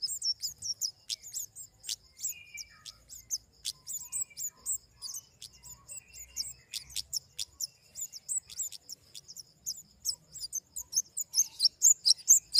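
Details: Flowerpecker making a long, irregular stream of tiny, high twittering chirps among frequent sharp clicks and tapping sounds, growing louder toward the end.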